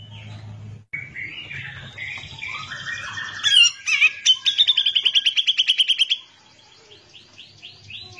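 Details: Grey-cheeked bulbul (cucak jenggot) singing for a training recording. Sliding whistled phrases give way to a long steady rattle of fast repeated harsh notes lasting about two seconds, then soft falling whistles.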